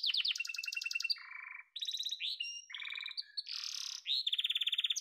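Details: A yellow domestic canary sings fast chopped trills, a low churring roll, then bright high rattles and a harsh buzzy burst, ending with a rapid even trill; clean recording with no background noise.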